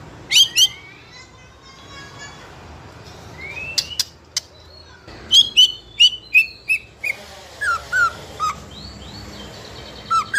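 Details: Spotted juvenile White-rumped shama, fighter type, singing without stopping to goad other youngsters into song; high chips and a long rising whistle, then a lively series of repeated descending whistled notes.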